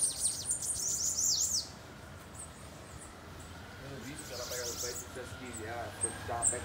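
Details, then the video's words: Bananaquit in a campeada: a loud, rapid run of very high zigzag notes for over a second, then softer high trills as a man talks in Portuguese. "PRA DEIXAR QUALQUER SIBITE LOUCO 😱 Campeada com Sibite"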